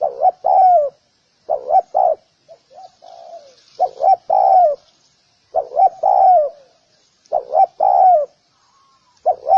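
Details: A spotted dove repeats its soft hooting call about every two seconds, each phrase a quick pair of short coos and a fuller falling one, with a fainter, quieter coo between phrases and nothing else audible.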